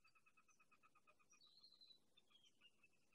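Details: A Sora, an elusive marsh bird more often heard than seen, gives a quick run of about a dozen clipped, even-pitched notes, then a few thin, higher whistles sliding downward, over a faint hiss.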